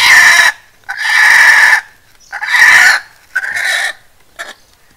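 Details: A very young captive Red Junglefowl, one of three siblings being taken from a box, gives loud, harsh, hoarse squawks, four bursts of about half a second to a second each, spaced roughly a second apart.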